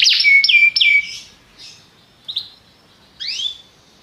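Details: Belgian canary song: three loud chirping notes with whistled tails, then quieter scattered chirps and a rising double note after a pause.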